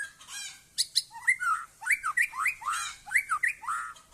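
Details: Aceh white-rumped shama in full song, a rapid run of about seven bright whistles in four seconds, each swooping up then sliding down, mixed with crisp high chips; no other sounds stand out.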